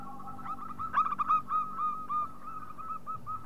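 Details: Loud local zebra dove in a luring recording, giving a fairly soft series of brief, slurred cooing notes at a quick pace, with a low droning hum in the background.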